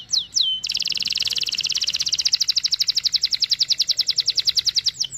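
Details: Canary in long rolling song, a lure for a young canary learning song: two falling whistles, then a sustained fast buzzy trill of rapidly pulsed notes running nearly the whole time.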